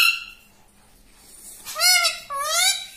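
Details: Pet talking parrot, a mitthu said to speak like a person, indoors in a small room: a short harmonic squawk at the start, a pause, then two longer wavering, speech-like nasal phrases near the end.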